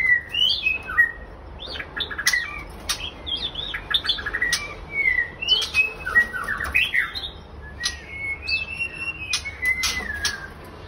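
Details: White-rumped shama from a captive breeding pair sings short fluty whistles, some rising and some falling, broken by frequent sharp ticks and clicks, with brief pauses between bursts of phrases.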